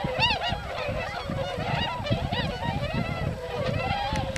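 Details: A flock of several hundred wintering tundra swans on rice fields of the Nogi Plain, Yasugi, Shimane, Japan, feeding on fallen grain, calls without pause with overlapping high, nasal, bugling honks over a low background rumble.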